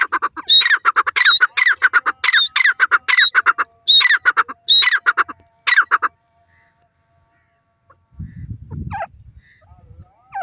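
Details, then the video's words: Francolin (teetar) giving loud, harsh, rapidly repeated grating calls in a burst of about six seconds, each note sweeping up and down. After that comes near silence, then a short low rumble and a few faint chirps at the end. "partridge voice, teetar awaz"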